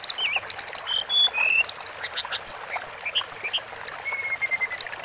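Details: Sunda forktail song from a long tutoring recording for cage birds: a busy stream of sharp, high whistles, looping slurs and short trills, repeated in quick irregular bursts, with fainter lower whistled notes underneath.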